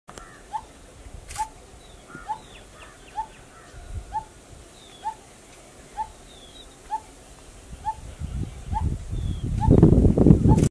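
A Coppersmith barbet gives a steady metallic 'tuk', about one note per second, over low rumbling noise, with faint chirps from other birds.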